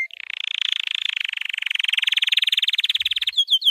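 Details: White canary training song: a long, very rapid, even rolling trill held for over three seconds, ending in a few bright, quick upswept notes.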